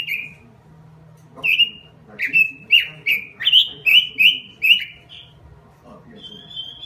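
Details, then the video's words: Robin song in gacor style: after a quiet start, a rapid series of sharp, down-slurred whistles repeats about twice a second, then a single sustained high whistle at the end. "SUARA BURUNG ROBIN GACOR"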